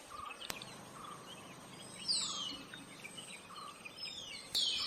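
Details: Silver-breasted broadbill, Bogor: two brief, thin, high whistles sliding steeply downward, about two and a half seconds apart, over steady insect hiss, a faint lower hum and a couple of sharp clicks.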